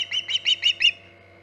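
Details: Five quick, shrill, arched whistles from an osprey at the Hog Island nest, 14 August 2019 around 11:45 am EDT, then silence apart from low hum.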